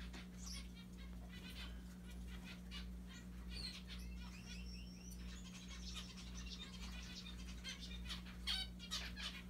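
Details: Pet zebra finches playing and picking at a Santa Claus hat give short nasal beeps and chirps over a steady low electrical hum.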